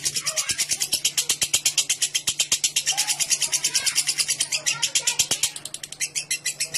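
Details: Lovebird singing a long ngekek, a clear chattering meant to draw other lovebirds into extended song; a dense, fast stream of high rasping notes with a low background hum and a few sharp clicks.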